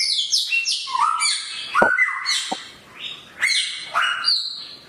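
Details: Samyong bird singing sharply: high, rapidly shifting whistles and slurred notes, a couple of abrupt clicks midway, then brief pauses between loud whistled phrases.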